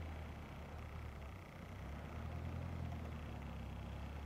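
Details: Low, steady engine rumble from nearby traffic, swelling slightly midway, with no animal sounds heard.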